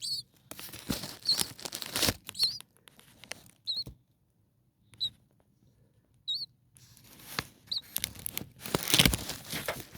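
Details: Common starling nestlings, six of them at four days old, huddling in the nest on a cooler night; thin high squeaks come singly and in pairs amid bursts of scratchy rustling at the start and end.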